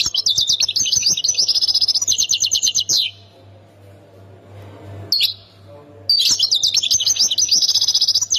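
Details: European goldfinch, Khemis Miliana, Ain Defla province, giving fast repeated high trills and chattering twitters for three seconds, then a silent stretch broken by one short note before the lively trilled song returns strongly.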